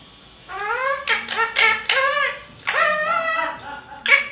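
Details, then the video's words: Pet Indian talking parrot singing indoors, imitating the Hindi film song "Tujhko Na Dekhu To": several melodic, voice-like phrases with rising swoops and wavering sustained notes, delivered in bursts separated by short pauses, ending on a sharp accented note. "TUJHKO NA DEKHU TO.....PARROT SINGING"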